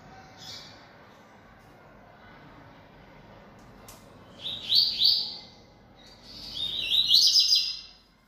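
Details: Kept coleiro-baiano, called bold and singing a lot, is quiet at first, then gives two high chattering phrases in quick succession. The second is longer, a rapid series of buzzy whistled notes.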